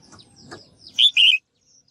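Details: Female bird calling to stimulate males to sing: a single loud two-part call, a bright whistled note followed by a longer lower warbled one, after faint low rumbling background noise.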